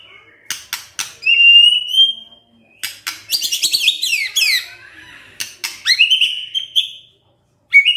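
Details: White-rumped shama in the morning, song meant to provoke a silent shama: short clear whistles and rapid chattering descending notes, broken by sharp clicks and brief pauses.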